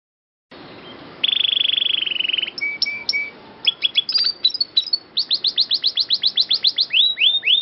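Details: Canary song for bird training, a clear long roll: a buzzy trill, then whistled notes and a fast series of sharp descending chirps repeated about four times a second, high-pitched and clean.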